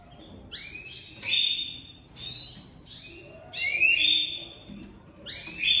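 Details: Domestic canaries, a breeding pair newly joined for the 2023 season, the female crouching for the male: repeated bright trilled phrases and rising whistles roughly every second, low background noise.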